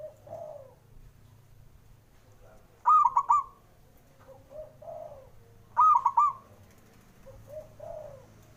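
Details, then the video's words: Zebra dove male, used to rouse doves reluctant to sing, gives crisp trilled coo phrases twice, about three seconds apart, while softer lower cooing notes sound repeatedly in the background. "JENIS SUARANYA🔊 PALING BANYAK DI CARI UNTUK PENDOBRAK PERKUTUT MALAS BUNYI"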